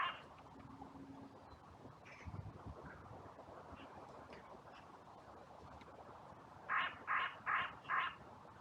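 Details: Crows calling in a cemetery on a bright sunny day during an outcry that followed a brief fight between two crows; four rapid harsh caws near the end over steady wind rumble, with a few faint distant calls earlier.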